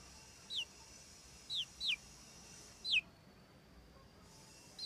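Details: Frizzled red mille fleur porcelain Pekin bantam chick, one and a half months old: single, widely spaced, shrill downward-slurred peeps, about five in total, against a quiet background.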